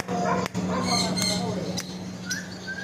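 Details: Parrot talking in short speech-like phrases, ending with a couple of clear whistled notes, a constant low hum underneath.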